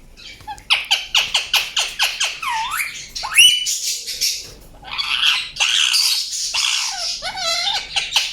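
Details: Indian ringneck parakeet calling: a run of about ten sharp, evenly repeated chirps, then a rising whistle and bursts of harsh, noisy squawking with a falling whistled note near the end.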